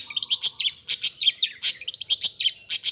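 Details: Long-tailed shrike in lively, full song: dense bursts of sharp, high chirps and scratchy notes delivered in rapid phrases separated by brief pauses, with a faint low hum underneath.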